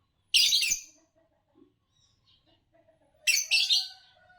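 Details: Champion green Fischer's lovebird from Indonesian song contests: a sharp, scratchy chirp, quiet pause, then a second harsh chirp that trails off into a thin drawn-out tone.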